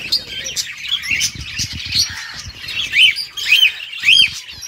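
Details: Budgies singing happily: a quick, uneven warble of chirps about twice a second, ending in three louder arched, squeaky notes about half a second apart.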